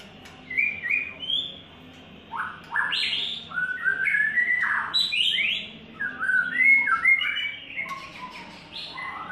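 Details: Lively varied song of a third-molt white-rumped shama: quick whistled notes jumping in pitch, dense warbled runs, and short pauses between phrases, over faint background hum.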